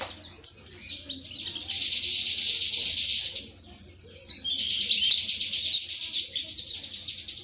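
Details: Pleci white-eye from Indonesia in wiksar tembakan materi song: a thick, continuous high buzzing twitter with scattered whistled accents and a faint low background hum throughout.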